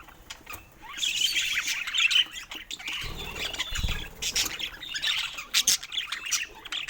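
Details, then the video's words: Budgies kept as pets twitter in bursts of high squawky chirps, quiet at first, with low thuds around the middle and chatter resuming after. "Cute Budgies in Love 💕🐦 Sweet Chirping Sounds That Bring Joy"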